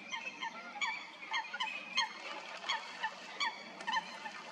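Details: Coots fighting at Stodmarsh in Kent, UK: a steady stream of loud, sharply accented harmonic honks, roughly two or three per second, some overlapping from more than one bird.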